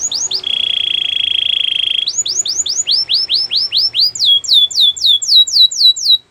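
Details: Canary singing a training song: a few slurred whistles, then a steady buzzy trill held for about two seconds, followed by series of quick rising-falling whistled notes that speed up and climb higher toward the end.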